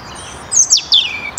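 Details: European robin in the Netherlands, 2023: a few thin, very high sliding notes, some dropping steeply in pitch, ending with a longer descending whistle, over a steady background hiss.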